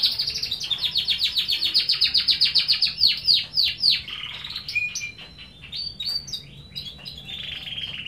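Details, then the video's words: Domestic canary in vigorous gacor song: a fast regular trill of sharp high notes, about four per second, slowing into scattered chirps and a thin high buzzy tail. "Suara Burung Kenari Gacor"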